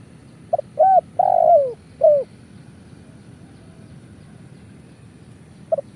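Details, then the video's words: Spotted dove cooing phrase, played to lure birds for trapping in Indonesia: quick stuttered notes, a short coo, a long downward-sliding rolled coo and a last short coo, then quiet before a new start. "Suara Burung Tekukur kuk 1"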